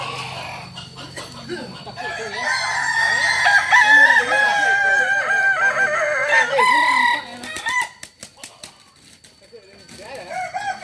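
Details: Kokok Balenggek cockerel from Solok, West Sumatra, prized for a crow rising and falling in many stages; a sustained, wavering multi-part crow runs several seconds, followed by clicks and softer clucks.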